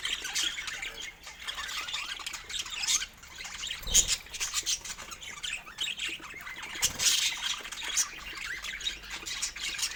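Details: Pet budgerigars chirping and squawking while eating fruit; dense, busy chatter of short, scratchy high chirps and squawks overlapping continuously, with a few louder bursts.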